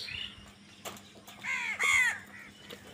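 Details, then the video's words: Crows fighting over food give a few hoarse, arching caws in the second half, loudest near the middle, after a faint harsh call at the start; a steady low hum runs underneath. "কাকের ডাক Crow Sound Crow ki Awaz Loudly | Crow bird Fight for Food"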